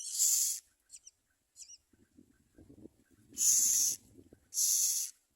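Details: Common myna feeding its young: three loud, harsh, hissing bursts, each about half a second long, with a few short, faint, tonal notes and soft rustling between them.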